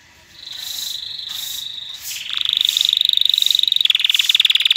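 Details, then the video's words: Canary singing to rouse females for breeding and teach fledglings: a thin steady whistle-like roll shifts into lower, louder trills that speed up and grow stronger toward the end. "تغريد طائر كناري لتسميع الفراخ و تهييج على التزاوج"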